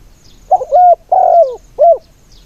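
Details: Ground decoy spotted dove in Thailand calling to draw in others. It gives a single phrase of three coos: a short hoarse double note, a long falling coo, then a clipped final note.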